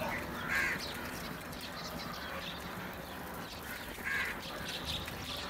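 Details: Crows crowding together over food give two rough, grating caws about three and a half seconds apart, set against a noisy outdoor background with faint chirping.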